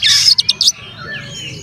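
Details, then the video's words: Oriental magpie-robin, the kacer, singing to provoke rival magpie-robins: a brief loud scratchy burst with three quick clipped notes, followed by a faint thin whistle trailing off. "SUARA BURUNG KACER GACOR ngeplay santai MANGGIL kacer auto KONSLET buka ekor TERAPI KACER agar EMOSI"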